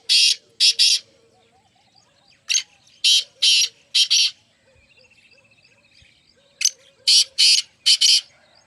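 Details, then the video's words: Harsh, grating partridge calls delivered in groups of two or three, repeating over several seconds, with a thin high trill and scattered small-bird chirps behind. "muskie teetar ki awaaz ki video"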